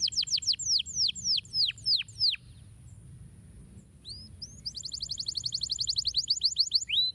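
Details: Canary song for stimulating lazy canaries to sing: a run of sharply falling whistled notes, a quiet pause, then a fast rolling trill of rising notes and a few final slurs.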